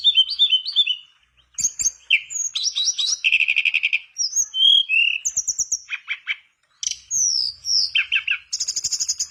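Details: Mangrove blue flycatcher in full, energetic song, played as a lure to get a quiet mangrove flycatcher singing: a fast medley of clear whistles, dense buzzy trills and sharp chips in bursts separated by short silences.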